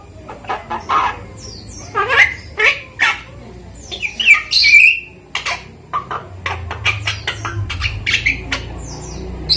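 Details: A 5-month-old hand-raised Javan myna learning to talk, taught speech and coughing, makes harsh, chattering squawks in irregular bursts, with a few squeaky whistled notes in between.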